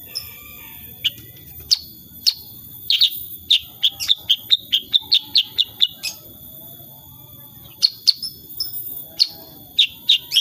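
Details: Sooty-headed bulbul in lively 'tembakan' rapid-fire song, unedited: scattered sharp high chips building into a dense run of quick, evenly spaced notes, then further isolated bursts of chirps.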